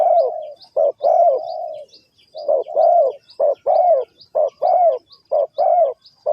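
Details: Spotted dove cooing, linked to bird trapping: an opening long coo, then a string of short, slightly rising-falling low notes repeated nearly every half second. Faint high bird chirps behind.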